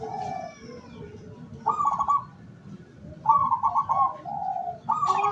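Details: Local perkutut zebra dove used as a lure for wild doves, August 2023: three loud vibrating trilled coos spaced about one and a half seconds apart, with soft lower notes between them and steady low noise.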